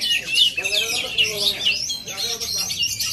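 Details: Oriental magpie-robin of Aceh origin giving a lively run of high, rapid whistled and trilled phrases, with faint human voices underneath.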